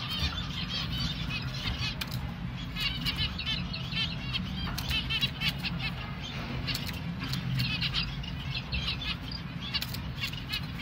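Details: Baby finch chick being hand-fed, giving rapid high chirping begging calls in quick clustered bursts over a steady low rumble of background noise.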